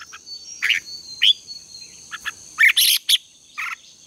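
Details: Decoy red-whiskered bulbul contest song for morning training: scattered short chirped and whistled notes, some sharp and loud, spaced irregularly, with a constant high ringing tone behind.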